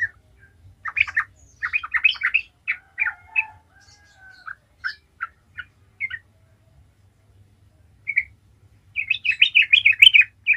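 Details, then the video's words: Sooty-headed bulbul singing as a lure, gacor ngalas style, to set other bulbuls singing: chattering bursts give way to spaced single chirps, a pause, then a lively run of rapid bubbly notes. "Trucukan gacor ngalas ahlinya bikin trucukan lain kepanasan langsung jadi gacor ngalas"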